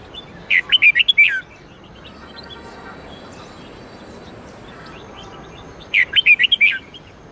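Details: Red-whiskered bulbul training song for caged bulbuls: the same quick, warbling phrase of about six whistled notes given twice, roughly five seconds apart, each ending in a falling slur, with faint background noise between.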